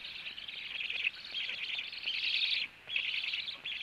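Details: After the male black stork comes home to feed, wheezy hissing calls pour out in long rasping bursts, with one clear silent break near the end.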